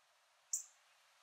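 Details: Single sharp, high chip from a rare yellow northern cardinal in a Port Saint Lucie, Florida backyard, recorded on an iPhone, standing out against steady faint hiss.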